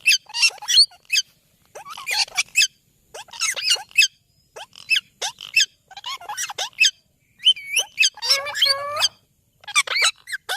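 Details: Ringneck parrot giving a rapid series of harsh, shrill screeching notes in short bursts separated by brief pauses, with a few lower, more tonal squawks near the end; no other sounds.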